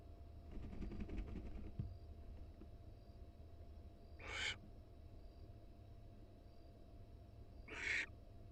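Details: Wild female barn owl in a University of Florida nest box, filmed live just after laying her second egg; two harsh, hissing screeches about three and a half seconds apart over a steady low hum.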